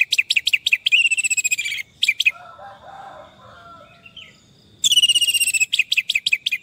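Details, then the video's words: Orange-headed thrush song for a stressed bird that has stopped singing: fast runs of sharp repeated notes and a rapid trill, a soft murmuring pause, then another quick burst of repeated notes. "Terapi Anis merah stres dan macet bunyi"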